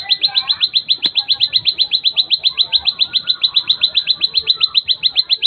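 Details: Plain prinia song: a long, fast train of identical sharp, high chipping notes, nearly four per second, steady in pitch and rhythm throughout, with faint background murmur underneath.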